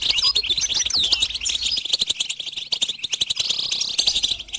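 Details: Goldfinch song played to stimulate and train songbirds: bright, fast twittering with tinkling notes. A sweeping slurred note comes early, then a dense, steady chatter of high chips runs to the end.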